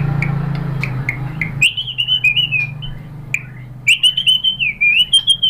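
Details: White-rumped shama song for training other birds: a few short separate chirps, then a sliding whistled warbling phrase, a pause, and another similar wavering whistled run, over a low steady hum.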